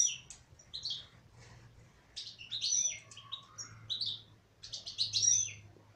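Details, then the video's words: Female European goldfinch singing in a cage: a bright, tinkling twitter of quick liquid trills and buzzy notes in short bursts, over a faint low hum. "تغريد انثى حسون"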